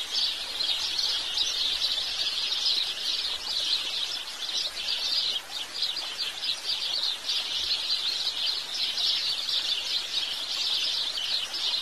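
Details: A long stretch of house sparrow chirping: constant, dense chatter of sharp repeated notes, loud and even throughout, in a quiet setting.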